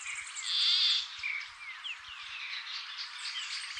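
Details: Endangered Peruvian plantcutter in northern Peru giving a single nasal, buzzy croak about half a second long, with a steady background of high thin chirps and trills from other birds.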